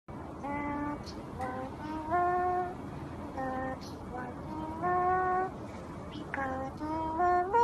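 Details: A pet eclectus parrot sings a human-like tune in short phrases, holding clear, steady notes that slide upward, much like a child humming.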